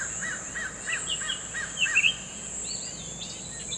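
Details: Wild Summer tanager song: a run of about six evenly spaced, down-slurred whistled notes, then brighter, higher rising phrases, set against constant high-pitched insect buzzing.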